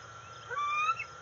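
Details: Juvenile bald eagle, 131 days old, calls from off the nest as her father arrives with a fish at the NCTC nest, August 5, 2020: one brief whining squeal, rising then falling, over a steady insect drone.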